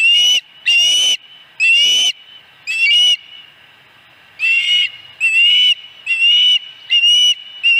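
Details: Repeated loud, harsh whistled cries from an osprey at its Dunrovin Ranch nest, 26 August 2020, fourth fish; about ten notes in two bursts split by a short quiet gap.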